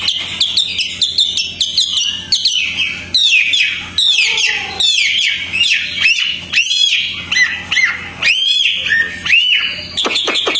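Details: A tame captive Chinese Hwamei, kept outdoors, pours out a loud, varied song of rich whistles, slurred upsweeps and rapid trills, phrase after phrase without a break.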